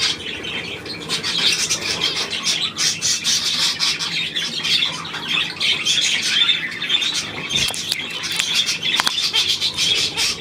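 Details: Budgerigars recorded on 9 February 2024: dense, continuous high chattering with scratchy squawks and short chirps layered over one another, steady throughout with no pauses, suggesting several birds calling at once.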